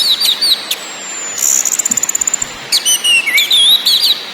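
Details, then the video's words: Anis merah, orange-headed thrush, singing ngakrak, ngeplong and nyiul styles: thin high whistles, a long drawn note, then a fast rattling trill followed by warbled, rising and falling phrases. "NGAKRAK NGEPLONG NYIUL BIKIN BURUNG GREGET EMOSI DAN GACOR"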